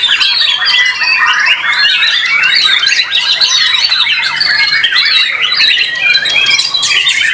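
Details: Contest white-rumped shama from a Solo team in Indonesia, keeping up a sustained, energetic flow of high whistles, trills and sharp notes for the whole stretch.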